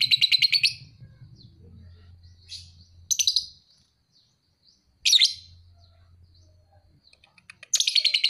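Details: Young paud lovebird, two and a half months old, a fighter bird: short bursts of rapid buzzy notes and single sharp screeches separated by quiet gaps.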